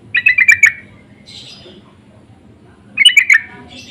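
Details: Answering lure calls of sooty-headed bulbuls, insistent: two rapid bursts of about five squawky notes each, roughly three seconds apart, with a faint higher sound between.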